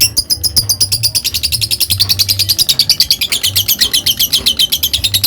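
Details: Lovebird giving a long ngekek chatter: a rapid, steady stream of high, sharp chirping notes, about eight per second, running unbroken for over five seconds, with a faint low hum underneath.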